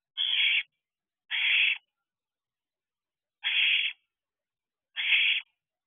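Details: An owlet begging for a food delivery at dusk on 8 July 2023, about the time owlets disperse. Four broad hissing screeches come in two pairs separated by a longer silent gap.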